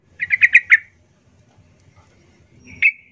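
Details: Yellow-vented bulbul singing: a quick bubbling run of five rolling notes, then silence, followed by a single clear whistled note and an abrupt click.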